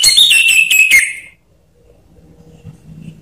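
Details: Orange-headed thrush song used as a lure to prompt silent birds to sing: a loud, rapid burst of clear whistles with short stuttering notes for about a second, then quiet with faint low hum.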